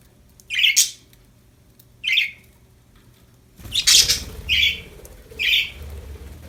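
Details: Happy budgerigars chirping: short harsh squawky chirps, about five in six seconds, spaced roughly one second apart, with a low background hum and faint rustling after the midpoint.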